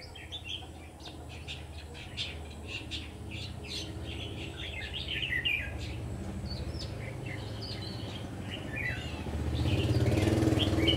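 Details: Decoy Red-whiskered bulbul at a trap giving rapid chirps and short warbled notes, with a low rumble that grows louder toward the end.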